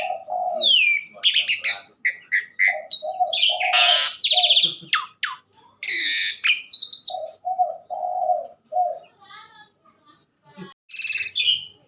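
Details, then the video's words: Asian pied starling singing energetically, a varied mix of loud harsh buzzy bursts, whistled notes and chattering phrases, with repeated low nasal notes between louder segments and short pauses. "burung jalak suren super gacor"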